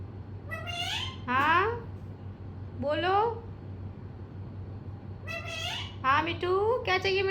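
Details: Talking pet parrot in a room: loud, nasal, speech-like phrases with steeply rising and falling harmonic syllables, two bursts early, one around three seconds, then a busier run of chattering syllables near the end, low hum throughout.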